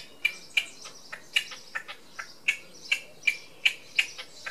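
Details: Red-legged partridge displaying on a wall in Tresco Abbey Gardens, Isles of Scilly; a steady run of about fourteen short, harsh, clicking notes, roughly three per second, several carrying a brief ringing tone, over quiet background.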